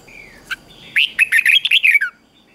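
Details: Red-whiskered bulbul morning song, used to train caged birds and stir listless ones into singing: a soft falling whistle, then one quick burst of about eight bright, jumbled warbled notes over roughly one second. A steady high electronic whine runs beneath.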